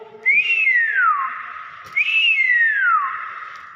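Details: Nias hill myna repeating a loud, clear whistle twice, about two seconds apart; each note jumps up, then sweeps smoothly down and trails into a sustained tone, with faint background noise.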